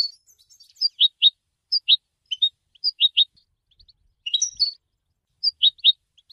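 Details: European goldfinch giving bright paired chirps in short bursts with pauses between, plus one brief twittering flourish, on a quiet background.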